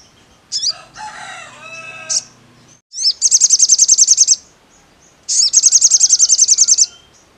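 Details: Crimson sunbird song: two long, very high, rapid trills of evenly repeated notes, each about one and a half seconds long, preceded by a lower, buzzier chattering call.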